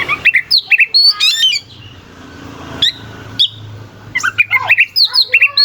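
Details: Oriental magpie-robin singing rough, sharp phrases to provoke rival birds. Busy whistled and rasping bursts are broken by a quieter pause holding only single sharp notes, then the dense song resumes.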